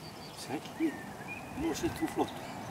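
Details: Black swans on a pond give short, soft, mellow notes in two quick bursts, with thin whistled notes from another bird above.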